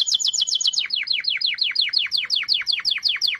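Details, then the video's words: Canary singing sentimental-style song: loud rapid steady trill of repeated notes, then a long series of sweeping downward slurred whistles about five per second, clean background. "chant canaris تغريد الكناري singing canary"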